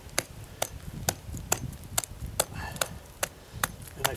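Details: Sharp tapping strikes repeat roughly every half second over low background rumble, as in chopping or hammering work.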